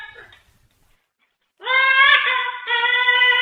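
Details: Cockatoo giving a loud, sustained, rich harmonic screech after a brief softer note and a pause, holding steady pitch with a slight break midway.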